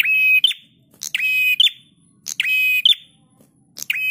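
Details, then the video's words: Master recording of a prinia singing for cage-bird training: sustained buzzy notes with rich overtones, each finishing in a bright accented click, coming in close succession roughly every second and a quarter. "Masteran Prenjak Tamu GACOR"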